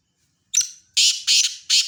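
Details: Black francolin giving a brief high introductory note followed by three loud rasping, buzzy notes in quick succession, harsh and grating against a quiet background.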